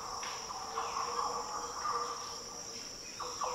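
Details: Faint, mellow fluty notes of a Green Oriole in the Daintree rainforest, northern Australia, partly blended into a loud, steady buzzing of insects.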